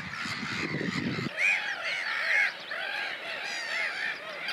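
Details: Common tern in Russia: after a brief burst of low noise, clear harsh arched 'kee-arr' style calls repeat about once a second over a quiet background.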